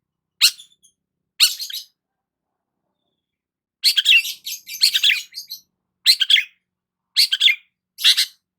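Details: Long-tailed shrike singing while sunbathing in the morning: short harsh, scratchy chattering bursts separated by pauses, with a dense cluster of rasping notes after a two-second silence.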